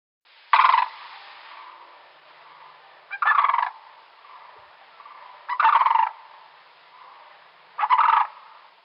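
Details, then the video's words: Sandhill Crane in Wisconsin giving the guard call, an alarm call often heard in flight: four loud, rolling, rattling bursts about every two and a half seconds, each lasting under a second, over a faint steady hum. "the guard call is kind of an alarm call"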